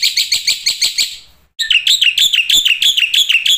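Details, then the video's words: Black-winged starling training-lure song: high rapid pulsed notes, a silence, then a lively series of chirps with downward-sweeping whistled accents, each note separated by roughly a fifth of a second. "masteran jalak putih suara full isian pancingan jitu bikin semua tipe burung jalak gacor SIANG MALAM"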